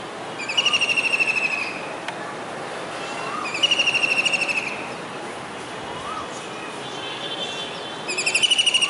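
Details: Kingfisher on a rooftop antenna in a Surat, Gujarat housing society, July 2019 rain, calling: three separate rapid high trills a few seconds apart over a noisy background.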